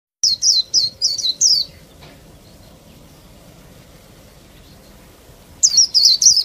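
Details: Female Oriental white-eye, a captive bird whose calls are used to stir males into singing. It gives two bursts of high, thin, downslurred chirps, about eight quick notes first, then a pause with faint background hum, then more chirps.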